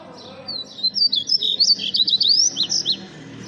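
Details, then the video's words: Captive blue-gray tanager performing mariposa song: a quick series of high squeaky slurred whistles, ending in a few short sharp up-down notes, against a low background hum. "Este es mi azulejo cantando mariposa"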